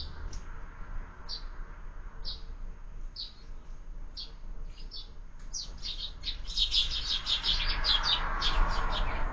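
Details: Breakfast at a window feeder with sparrows, birds fed there through every season. Short high chirps repeat about once a second, then quicken into busy overlapping chatter as more birds join. Steady background hiss grows louder.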